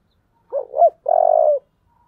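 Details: Competition spotted dove with a 'giọng thổ' voice, calling to spur a fight: a quick double hoot rising at the end, then a long, even, tremulous coo of about half a second, in a quiet setting.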